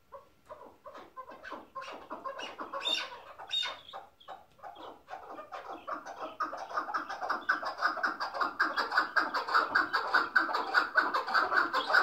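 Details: Chukar partridge of the prized hıngırmacı singing type, called king of partridges: a rhythmic series of harsh clucking chuk notes, about one and a half per second, building louder and denser over twelve seconds.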